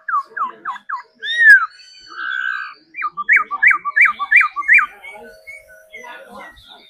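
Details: Trained caged laughingthrush singing while dancing, part of daily song training: clear whistled upslurs, a long steady note, then a run of six rapid rising-falling whistles, each about a third of a second apart.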